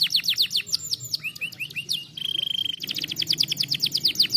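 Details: Stimulating canary song meant to train lazy birds: quick descending high chips, a short run of lower slurred notes, a long steady trill, then a dense rapid roll of high sweeping notes.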